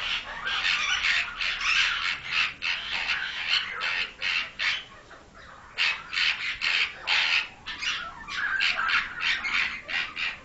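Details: Pied myna being raised by a breeder, calling in long bouts of rasping, chattering squawks, quick pulses in runs with short breaks between them.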